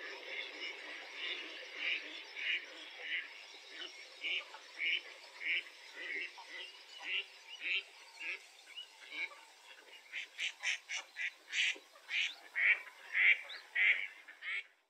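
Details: Mallard (Anas platyrhynchos) giving a long run of harsh, nasal quacks, nearly two a second, growing louder and quicker toward the end.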